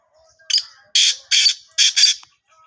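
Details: Sindh, Pakistan black francolin call: a quick grating phrase of four parts, a brief opener followed by three harsh buzzy notes, the last doubled, heard clearly against near silence.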